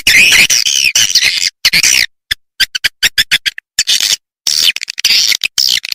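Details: Edible-nest swiftlet call used to attract swiftlets to bird houses: harsh high twittering bursts alternating with irregular sharp clicks and brief silences.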